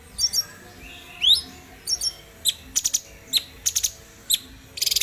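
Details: Cucak cungkok, a bulbul, used as tutor song for caged birds; rising whistled notes and sharp chip clusters repeat irregularly, ending in a fast buzzy rattle.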